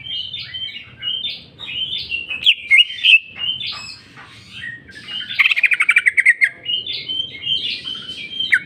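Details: Greater green leafbird pouring out its song fill in jamtrok style: continuous varied warbling of short whistled phrases, a few sharp clicks, and a fast buzzy rattle in the middle.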